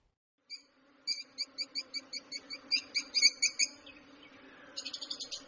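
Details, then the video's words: A rapid, evenly spaced series of ringing high chirps, roughly four per second, swells in loudness and then stops. After a pause comes a faster buzzy trill, from lovebirds chirping as they do when playing, eating or excited. "Lovebirds Chirping Sounds"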